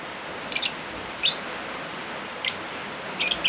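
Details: Lovebirds set against rain noise, intended to tutor or soothe birds that stopped calling: four short bursts of piercing, raspy chirps, the last a rapid cluster, rising over an even hiss of falling rain.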